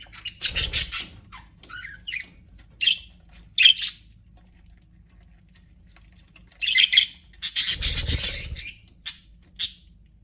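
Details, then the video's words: Pet budgerigars in an aviary chirping in bursts of harsh, buzzy squawks and chatter, with loud clustered phrases near the start and again around the middle, separated by short quiet gaps and single chirps. "HAPPY BUDGIES SOUNDS"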